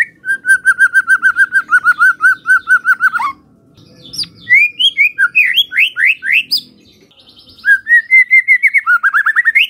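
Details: White-rumped shama song meant to get other shamas answering: a steady run of repeated clear whistled notes, a pause, a burst of rising sweeps, then another fast series of repeated notes.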